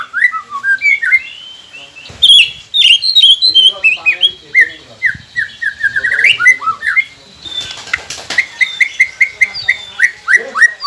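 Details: White-rumped shama song played to prompt quiet captive birds to sing: a rich run of varied whistled notes, slurred rising and falling phrases, and sharp chirps, some repeated in quick series.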